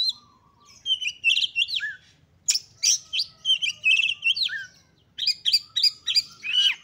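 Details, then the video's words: Oriental magpie-robin singing with high excitement to spur rival birds into song, delivering rapid, varied whistles, sharp chips and warbled phrases in several dense bursts separated by brief pauses, with clean quiet background. "KACER GACOR FULL EMOSI TINGGI// JOSS UNTUK MENDONGKRAK KACER LAIN AGAR CEPAT EMOSI DAN GACOR FIGHTER"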